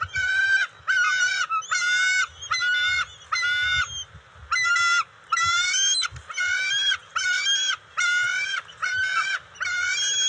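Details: Bald eagle juveniles at the NCTC nest, June 29, 2021, scuffling and sharing eel and fish deliveries; strident harmonic wails repeated over a dozen times at a steady pace of about one per second.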